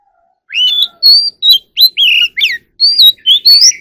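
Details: Magpie robin (chòe than) practising competitive song: a lively string of clear whistled phrases, each a short rising or falling slur, delivered in quick succession with brief gaps.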